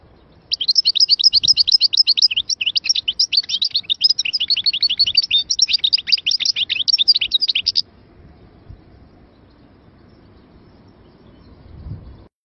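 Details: Goldfinch of Algerian type from Moknine singing a sustained seven-second burst of rapid, jangling twittered notes at a steady high pitch, followed by quiet with faint low background rumble.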